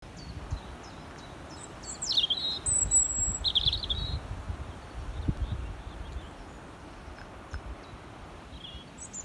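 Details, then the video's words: European robin singing from a tree at Cammo Estate, brief, high, thin warbled phrases with a few sharp squeaky notes, against a steady low rumble of wind or distant traffic. "Robin Singing"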